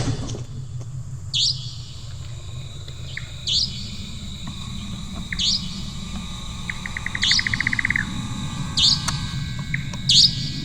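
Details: Indian Nightjar, active all night, calling in forest at dusk: sharp, high, astringent downslurred notes about every two seconds, plus one quick run of dry ticking notes, over a low background hum.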